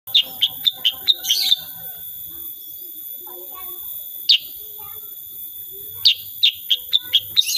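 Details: Sooty-headed bulbul singing actively in the rapid 'tembakan' style, unedited recording: bursts of sharp, high chipping notes repeated about three per second, separated by pauses with faint lower warbling, over a constant high electronic whine.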